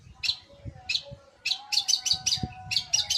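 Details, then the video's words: Long-tailed shrike (penten), noted as singing vigorously day and night; scratchy high chattering bursts that build into a rapid run of harsh notes, with low thuds and a soft steady hum behind. "Penten gacorr siang malam!!"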